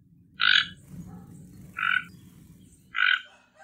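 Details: Three rough, frog-like croaks from a toco toucan, evenly spaced about one and a quarter seconds apart, against quiet low background noise.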